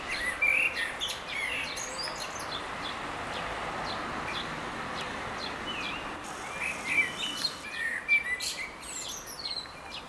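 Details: Common blackbird singing in Baia Mare, Romania: faint fluted, whistled phrases near the start and again toward the end, separated by quieter stretches over a steady outdoor background hiss.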